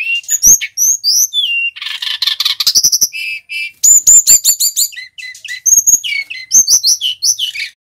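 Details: Brown-chested jungle flycatcher, a male from Bali kept as a cage bird, in continuous varied song: high whistled slurs, buzzy trills, rapid chip series and sharp rising notes, rich and unbroken, with no other sounds.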